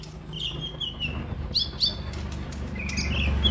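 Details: Kolibri ninja sunbird recording meant to prompt newly kept caged birds to call: scattered high chirps and short rising whistles among a louder low rumbling background.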